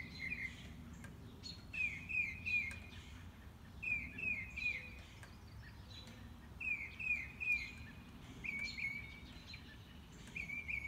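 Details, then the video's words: Enthusiastic mockingbird heard on a morning walk, running through its repertoire: short bursts of three or four rapid chirped notes, each repeated phrase followed by a pause, about every two seconds, over a low background hum. "Mockingbird - Morning Walk"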